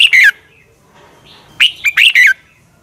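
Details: Red-whiskered bulbul fighting song, a decoy recording for training birds to sing. The tail of one phrase ends in falling notes, and after a pause comes a bright burst of four or five quick whistled, slurred notes.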